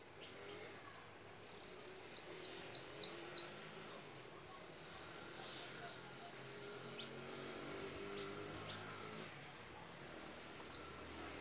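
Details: Two bouts of goldfinch song about eight seconds apart, each a run of high falling slurred notes and buzzy trilling, with faint soft chips in the quiet gap between.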